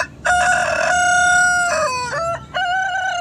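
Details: Domestic rooster from Southwest Asia crowing loudly. A long, steady, harmonic-rich crow holds level, then drops into a falling slur before a second sustained phrase starts after a brief gap.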